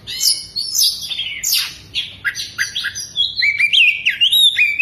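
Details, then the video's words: Oriental magpie-robin in frenzied full song with tail spread, its phrases packed with lovebird imitations: harsh downslurred screeches, then rapid repeated whistled notes rising and falling, loud and clear. "BURUNG KACER BUKA EKOR SAMBIL NEMBAK" | ISIAN LOVEBIRD"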